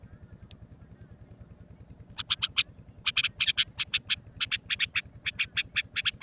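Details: A bulbul sound offered for hunting use gives harsh, scratchy chattering notes, several per second in quick bursts, over a steady low mechanical hum.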